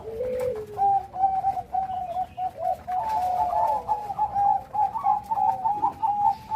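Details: Loud cooing song of a zebra dove of the Bangkok perkutut type: opens with a low sliding coo, then a long run of steady mellow notes turning into quicker trilled, wavering coos toward the end.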